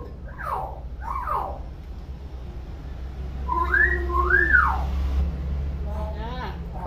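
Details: A tame talking common hill myna (burung beo) imitating sounds gives two pairs of clear whistled notes, each sweeping up and falling, then softer whistled slides, over a low steady hum.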